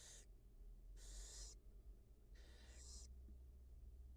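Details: Wild barn owl at a nest with its mother feeding two newly hatched nestlings, live nest camera; three harsh, breathy hissing bursts, each about half a second to a second long, over a low steady hum.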